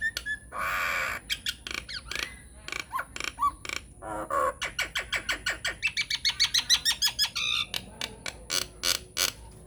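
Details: Nias hill myna in full voice giving a lure song to get silent mynas answering: a harsh nasal squawk, scattered clicks and short whistles, building into a fast, rhythmic run of rising chattering notes.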